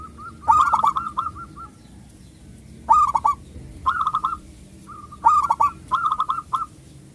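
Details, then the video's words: Local zebra dove, a loud singer used as a lure for other doves, gives three bursts of song, each a sharp harsh onset followed by a fast string of hooked whistles, separated by two-second pauses. "perkutut lokal gacor suara besar pancingan super ampuh"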